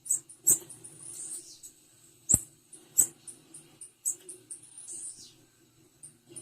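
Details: Female blue-black grassquit: high, squeaky chips in loose runs, two or three short buzzy trills, and a few loud clicks, all over a faint low droning hum.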